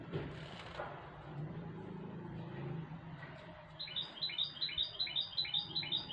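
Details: Goldfinch hybrid bathing in a shower during the coronavirus period, water rushing throughout, then a fast, bright twittering trill of evenly repeated high notes for the last two seconds.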